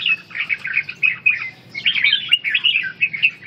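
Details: A red-whiskered bulbul training ché song and stamina pours out quick, lilting chirps and short slurred whistles, one phrase running into the next with a brief lull midway.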